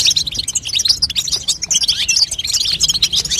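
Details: Female European goldfinch call meant to spur a young goldfinch into song, heard as a busy chatter of sharp, high chirps and tinkling twitters packed closely together.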